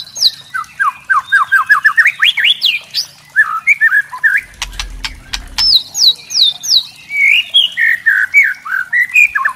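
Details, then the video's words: White-rumped shama giving "kretekan" crackling song, used to provoke young spotted (trotol) shamas: a rapid unbroken run of sharp whistles, slurred upslurs and dry crackling notes, with a short burst of knocking clatter midway. "kretekan murai trotol"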